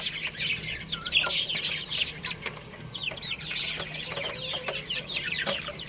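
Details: Baby chickens playing and eating, giving a dense chorus of high, thin peeping chirps that overlap constantly, many short downslurred notes from several chicks at once, with faint scratching between.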